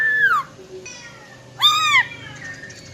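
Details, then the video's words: Wild-type song of a female silver-eared laughingthrush, used to excite males quickly: a falling whistle, then a pause, then a rich, harmonic arched note that slides downward at its end. "Tiếng Chim Khướu || Khưới Mái Bạc Má RO RO || Giọng Rừng Hót Chuẩn - Kích Trống Lên Lửa Cực Nhanh"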